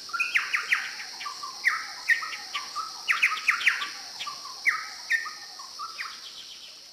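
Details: Chowchilla, a ground-dwelling bird endemic to northeastern Australia, singing a lively run of loud, ringing notes, with quick rising chirps and lower whistled phrases tumbling together over a steady high hiss.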